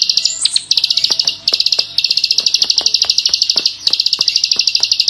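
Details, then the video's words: A klik-klik bird delivers energetic full-burst song: a high, rapid, rattling chatter broken into several long runs by short pauses, opening with a brief squeaky flourish, with faint clicks beneath. "masteran burung klik klik gacor || full tembakan ngebren"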